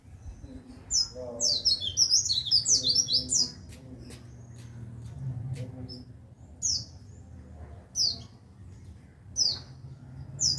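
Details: Tutor song of a white-eye for teaching caged songbirds: a dense burst of high, sharp twittering early on, then isolated high chips every second or so, with faint murmuring voices in the background.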